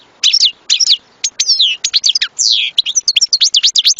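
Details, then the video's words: Goldfinch song in a lively, tinkling flow of varied chirps, quick rising and falling whistled slurs and a few longer trills, delivered in short bursts with tiny gaps, all high and clear against a quiet background. "صوت حسون"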